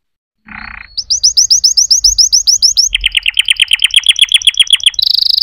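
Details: Canary song opening with a short harsh note, then crisp repeated upswept whistles, a lower tour of quick falling chips, and a final fast high trill.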